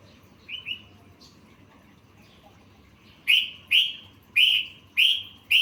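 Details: Yellow-vented bulbul (trucukan) song full of learned phrases, kept as master material for training songbirds: two soft chirps early, then after a pause five loud, clear, downslurred whistled notes about half a second apart over low steady hum.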